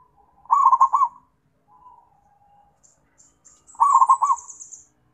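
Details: {'caption': 'A zebra dove calls to companions with two quick, rolling coo bursts of several notes, separated by a soft falling trill, while faint high chirps from another small bird sound in between.'}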